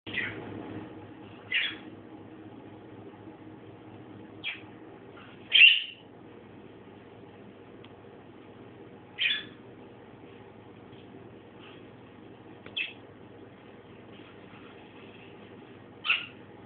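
A budgerigar gives brief, high, scratchy chirps at uneven intervals over a low indoor hum.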